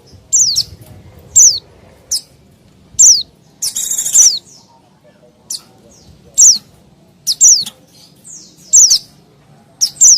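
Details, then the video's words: High, sharp, down-slurred white-eye call notes used to lure wild small birds. Singles and doubles come at uneven intervals, with one brief buzzy chatter in the middle. "Suara Pleci Ribut Sangat Ampuh Pikat Pleci Liar Dan Burung Kecil Lain nya"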